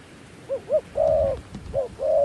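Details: Decoy dove calling to lure wild doves down: two short rising-falling coos, then a long level drawn-out coo, a pause, and another short coo followed by a long coo, over a faint background hiss.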